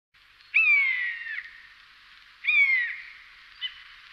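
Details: Common buzzard calls played as a hunting decoy: two long, mewing, downward-sliding cries, each under a second, about two seconds apart, with a short faint note at the end; no other sounds.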